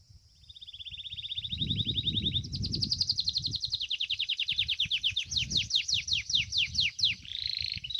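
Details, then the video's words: Belgian canary, domestic breed, singing fibra style in a contest: an even rolled trill, then a higher rapid trill that opens into widely spaced falling notes, closing on a buzzy roll, over low rumbling background noise. "Canário Doméstico "Belga""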